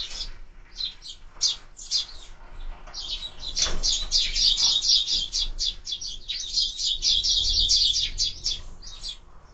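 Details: Sparrows at a bird feeder caught on a bird camera; a fast, fairly steady stream of sharp chirps, about four a second, grows denser midway and continues to the end.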